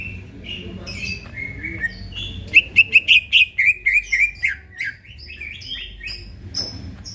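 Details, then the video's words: Greater green leafbird singing energetically in the middle of the night, recorded for training other birds. Scattered whistles give way to a quick burst of about ten sharp, chattering notes, then thinner high phrases. A low hum underneath. "burung cucak ijo bunyi tengah MALAM GACOR"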